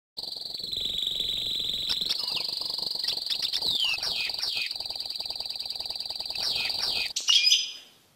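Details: Caged male European goldfinch singing strongly after being separated from a female canary it had mated with: a sustained high buzzy tone with dense twittering notes and downslurred chirps layered over it, ending in a louder burst.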